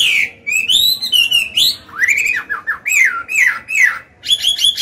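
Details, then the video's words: Forest-voiced song of an adult Chinese hwamei meant to coach caged birds: sweeping whistles rising and falling, several deep looping notes in sequence, and a final buzzy burst. "Họa mi già giọng cực hay, luyện bổi, kích trống hót hay"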